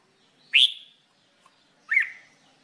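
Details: Red-whiskered bulbul in singing training: two separate loud, clear whistled notes, each sharply rising then falling, spaced more than a second apart in a quiet setting.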